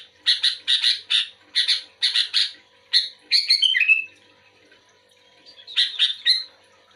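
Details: Replying to another bulbul, this sooty-headed bulbul delivers paired chirps in quick succession, a cascading downslurred phrase, a silent pause of almost two seconds, then a final chirpy burst.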